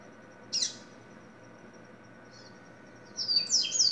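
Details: Double-collared seedeater giving a single sharp high note, then a quiet gap and a faint chip, followed by a quick burst of high, thin, descending chirps near the end.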